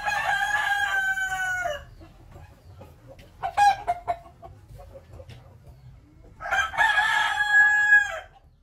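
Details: A rooster, a village chicken in Bali, crows twice, loud harsh cock-a-doodle-doos with rich harmonics, separated by a quieter stretch.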